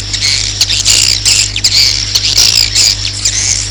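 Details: Swiftlet roosting lure call, used to attract swiftlets to roost: dense chirping and twittering around high pitch, overlapping calls with bursts roughly every second, over a steady low electrical hum.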